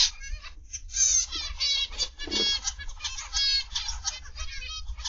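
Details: Aviary of zebra finches, 29 November 2021, PM: bright stacked nasal toots and quick chattering notes from several birds, in clusters separated by brief pauses, over a faint low hum.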